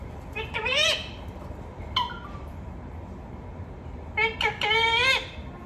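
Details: Word-like harmonic utterances from a talking parrot: a rising syllable, a short clipped note mid-way, then a quick double phrase with an upward-bending tone, separated by pauses with faint background hiss.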